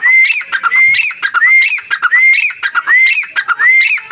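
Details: Black francolin call, loud and steadily repeated: a clear rising whistled note followed by harsh, grating syllables. The phrase repeats roughly every 0.6 seconds, about seven times in four seconds.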